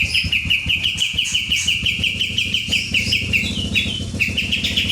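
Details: ['Vigorous kapas tembak song in rolling, shooting style, an almost unbroken rattle of bright chirped notes repeated about three times a second, with scattered higher whistles and a faint background hum.']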